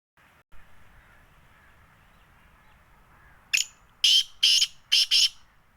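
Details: Black francolin (kala teetar) in Sindh, Pakistan. It gives a loud burst of harsh, grating, rasping notes, about five in quick succession, against quiet rural background hiss.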